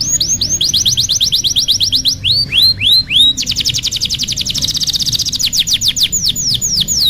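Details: Canary master song used for training young canaries, a fast varied run of whistled notes: rapid repeated upslurred trills, a few slower looping whistles, then a dense buzzy high trill and descending sweeps.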